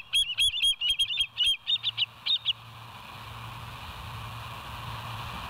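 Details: Rapid chittering series from a bald eagle, West End live nature cam, 07/09/2023 at 06:24. Quick, high, piping notes run irregularly for two and a half seconds, then fade into a constant hiss.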